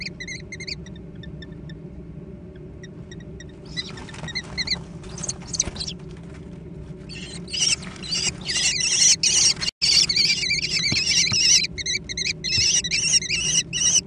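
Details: American kestrel young in a food fight: a few sparse thin squeals at first, then a sudden loud burst of overlapping shrill quavering calls from several chicks, over steady low hum.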